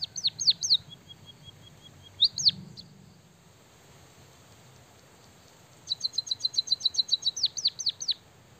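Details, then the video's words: White-headed munia, a kept cage bird, singing with imitated canary phrases: a few falling whistled swoops, a thin level trill, then a pause before a burst of rapid high ticks and more downward swoops. "burung emprit kaji gacor isian suara kenari"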